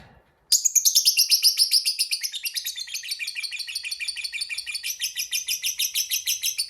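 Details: Fighter lovebird's long ngekek chatter, a lure to set off rival birds: after a brief silence, a sudden fast string of piercing high chirps continues steadily, slightly lowering in pitch over time.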